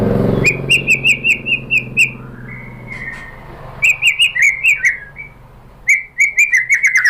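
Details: Lure song of a white-rumped shama, meant to make other shamas reply: clear, high whistled notes in fast repeated series, a longer drawn whistle, then more bright rapid phrases, with faint low hum behind.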